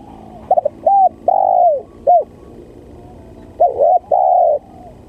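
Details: Spotted dove calling as a trapping lure, described as very vocal: two cooing phrases, each a quick stuttered opening followed by a long, steady, mellow coo, with a short pause between them.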